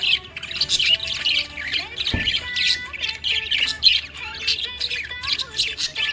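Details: Happy budgerigar giving a dense, lively chatter of high chirps, squawky notes and warbles, almost continuous over six seconds, with one sharp low thump midway and a faint steady tonal hum underneath.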